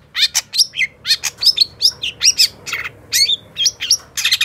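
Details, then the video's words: Rapid varied phrase from a long-tailed shrike (cendet pentet) in gacor song: sharp chips and quick downslurred whistles in quick succession over a faint low background hum. "Suara Cendet Pentet Gacor DOR"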